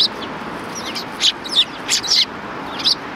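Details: Several sparrows at the front approach of a Tenmangu shrine on 12 December 2019 give loud, sharp chirps in a brief flurry, some doubled, against soft outdoor hiss.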